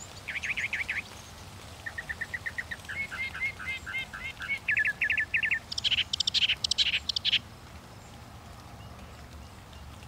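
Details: Northern mockingbird running through several phrase types: a rising trill, rows of quick whistled notes speeding up, then loud raspy bursts repeated four times before falling silent.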